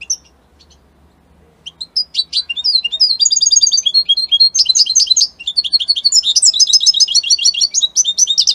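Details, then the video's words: Captive European goldfinch, Italian type, opening with a few scattered chirps and then breaking into a dense, accelerating twittering song of tinkling notes and rapid trills. "من أقوى تغاريد طائر الحسون الجميلة الحسون ايطاليا"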